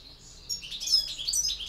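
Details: Short European goldfinch campero song fragment, a quick flurry of bright, slurred twittering high notes.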